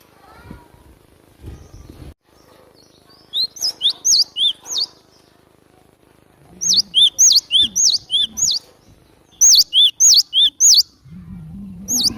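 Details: Cinereous tit song played as a lure for catching birds: three phrases of ringing, bouncy whistles, each a quick dip-and-rise note repeated several times in brisk rhythm, separated by short pauses and a soft low rumble.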